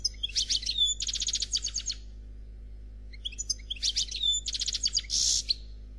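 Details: Faultless Noir Khalwi song of a European goldfinch: two bursts of fast, bright, evenly repeated twittering notes split by a pause, the second ending in a rasping buzz.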